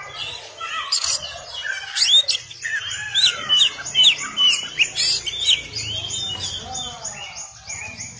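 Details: Oriental magpie-robin tutor song (masteran kacer): dense stream of high chirps, short upslurred whistles and rapid trills, continuous and jumbled over a steady background hiss.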